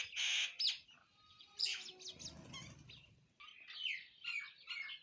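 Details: Sparrows eating food and chirping: loud, harsh, bursting chirps at the start, then a tumbling run of high twittering notes, with a rustling, low noise partway through.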